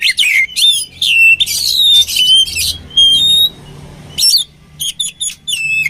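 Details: Oriental magpie-robin singing, meant for training birds: loud bursts of sharp whistles and buzzy chatter, a quiet gap of about a second, then short, clipped whistled phrases repeated several times.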